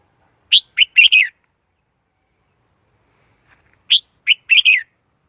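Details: Red-whiskered bulbul used as trapping lure, recorded clean: a sharp rising note followed by a slurred warbled phrase, the same three-part motif repeated twice about three seconds apart.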